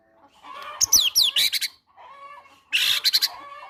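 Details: White-rumped shama fighter singing cinereous tit (gelatik batu) material as a prompt for sulking birds: a quick run of sharp descending whistles and dense chattering notes, a pause, then another harsh rapid burst.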